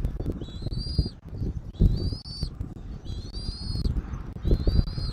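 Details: Bald eagle at its nest in Southwest Florida, picked up by a nest camera on 13 January 2024 at 14:17: four high, thin whistled calls that rise slightly and then level off, about one every 1.3 seconds, over steady low wind rumble.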